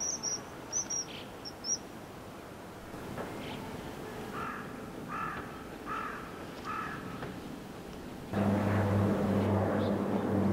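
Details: Common kingfisher pair digging a nest burrow on a residential stream off the Tama River in Tokyo, 12 March 2013, with courtship feeding. Several sharp high piercing whistles open the recording, followed by repeated harsh crow caws and a low engine-like rumble at the end.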